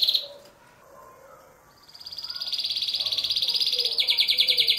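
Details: Male canary singing to stimulate females for mating: faint chirps at first, then a loud, fast, steady high trill of rapidly repeated notes, about three per second or quicker, that shifts to a different trill near the end.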